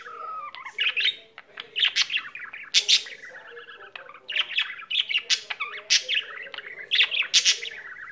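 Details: Budgie kept at home warbling at length: a low falling whistle opens, followed by rapid tweets, clicks and sharp squeaky spikes repeating about once a second, only one short pause midway.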